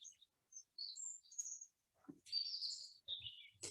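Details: Song thrush song played back, described as loud and persistent, heard singing at about 5 a.m. in pitch darkness; short, high chirping and trilled phrases separated by brief pauses, with faint low thuds between them.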